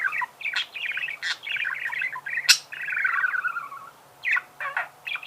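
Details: Budgerigar singing a busy, continuous warble of chattering chirps and rolling trills, broken by a few sharp clicks, then falling quiet briefly.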